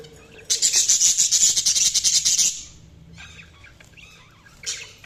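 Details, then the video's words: Budgerigar giving a rapid, buzzy, rasping chatter of quick pulses, nearly four per second, for about two seconds, then quiet soft warbles and one more short burst near the end. "Budgies Sounds| Budgies Chirping sound"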